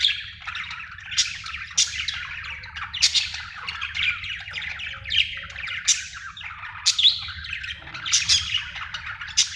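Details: A happy budgerigar chatters in a steady stream of high, scratchy chirps and warbles with sharp squeaky notes.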